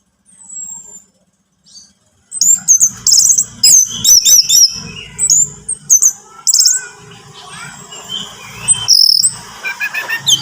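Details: Orange-headed thrush song used to coax a captive bird to sing: after a short quiet start, a dense run of high whistles, sweeps and chattering trills continues almost without pause, over faint low background noise.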